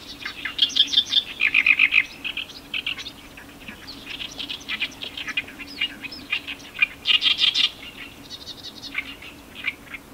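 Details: Several Oriental reed warblers at Iwakuni, Hiroshima, Japan, in May: loud grating croaks and rattling repeated notes in uneven bursts, the harsh chatter continuing for ten seconds over a faint low hum.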